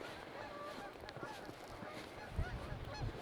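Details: Geese flying around honk faintly in the distance near a levee in Livingston, Montana, on a cold, windy autumn day during the first snowstorm, a loose scatter of nasal calls over low rumbling noise and a man's voice nearby.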